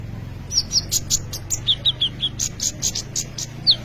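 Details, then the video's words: Sunbird called kolibri ninja singing in full voice, recorded as a lure and tutor for training other birds. Rapid series of high, thin, downslurred chirps, some twelve notes evenly spaced, with a faint low hum beneath. "kolibri ninja gacor cocok untuk pancingan atau maateran burung bahan"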